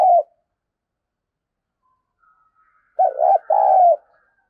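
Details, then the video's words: Spotted dove kept as a decoy to rouse other doves, giving low hollow coos: the tail of one phrase, a pause with a faint thin tone, then a full phrase of a brief note and a drawn-out coo. "Tiếng Chim Cu Gáy Mồi Dùng Kích Bổi Tập Mồi"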